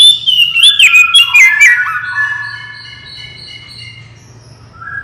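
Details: Oriental magpie-robin in lively song, used as a lure for quick responses; fast tumbling whistled phrases with sharp clicks for two seconds, then trailing into soft, fading sustained tones.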